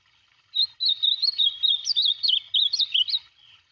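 An ultramarine grosbeak sings a rapid, warbling run of sweet whistled phrases that rise and fall, lasting about three seconds against a quiet background.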